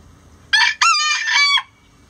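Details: Rooster crowing before dawn as the flock leaves the coop: a loud, harmonically rich cock-a-doodle-doo in two quick bursts followed by a longer held, slightly wavering note, lasting about a second, over a quiet background.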